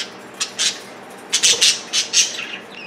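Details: Male budgerigars, pet parakeets, fluffed up and intense while jostling on broccoli as if ready to mate, giving harsh, buzzy squawks and scratchy chirps in quick irregular bursts, indoors.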